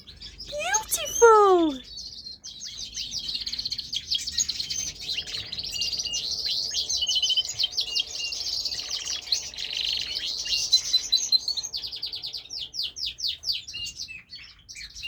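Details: Canary singing, a long run of rapid high trills and chattering twitters that runs almost without a break, after an opening of loud descending sweeping notes.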